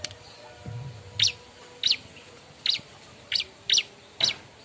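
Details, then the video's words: Bar-winged prinia calling for a mate as a lure sound: single sharp high chirps roughly every half second against a hissy background with a low rumble early on. "suara burung ciblek ribut nyari kawan"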